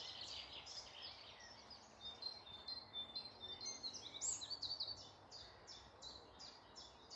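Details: Early-day woodland chorus near Malton, North Yorkshire: many high chirps and twittering phrases, then a steady series of bright repeated notes about twice a second toward the end.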